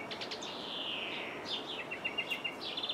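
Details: European greenfinch in Jordan, heard through a window: a long wheezy buzz slowly sliding downward, then a run of evenly spaced ringing notes and a quick trill to close.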